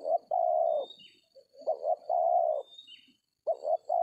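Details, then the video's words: Spotted dove calling in an oil palm plantation during decoy trapping: repeated phrases of short stuttering notes ending in a long, steady coo, two phrases plus the start of a third, thin high whistles in the background. "DAPET TARGET TEKUKUR TERBAIK, SUARA KOMPLIT DAN JAGO TARUNG"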